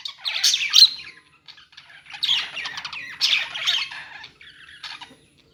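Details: Pet-store budgerigars heard in separate bursts of scratchy warbling and squeaky chirps, each lasting about half a second to a second, with quiet gaps between them.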